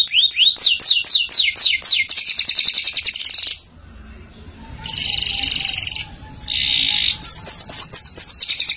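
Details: Canary song used for masteran: quick repeated downward-sweeping whistles and dense buzzy trills, broken by a short quiet gap before more rolling trills and sweeping notes return.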